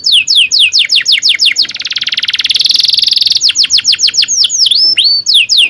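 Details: Canary song used as a training tutor for young canaries learning to sing: rapid series of steep descending whistled notes, then a dense buzzy trill lasting about two seconds, followed by more falling notes and looping swoops, all high-pitched.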